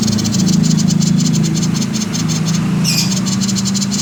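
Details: Common iora 'konslet' call used as a singing lure: continuous fast, buzzy rattle of high pulses, about four per second, with one brief brighter note near the end and a steady low hum underneath.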